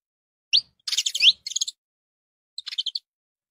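A saffron finch gives bright chirps and quick rising notes in two short bursts, then a brief pause and a final burst of chips.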